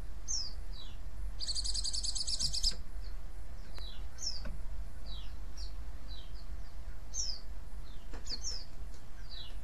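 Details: White-eye chirping and chattering to lure other white-eyes into answering: thin, high, downward-slurred whistles scattered across the clip, with one dense buzzy rattle lasting about a second, over a steady low rumble.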